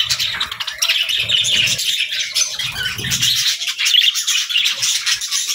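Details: Continuous warbling chatter of budgerigars in the morning, thick with quick, twittering, scratchy notes. Soft low rustling thumps come in the first half.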